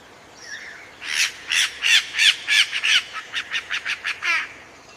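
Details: A myna calls while walking along a tree branch, giving a rapid series of harsh, chattering notes, about three per second. The first notes are loud and broad, then quicker and thinner, ending in a rasping trill.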